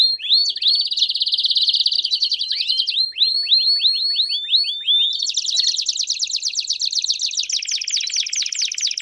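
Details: Campainha-style canary song with chirps, played to teach young canaries: buzzy rolled trills, then a series of quick rising chirps repeated several times a second, ending in a long, bright, high rolling trill.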